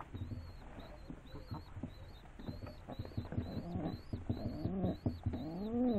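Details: Rock doves: scratchy tapping and shuffling fill most of the recording before low, arching, harmonic coos swell at the very end, with a thin high chirp repeating steadily in the background.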